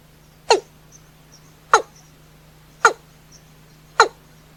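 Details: At night a watercock repeats a sharp, falling, clucking note four times, roughly once a second, with faint high ticks in the quiet gaps and a steady background hum.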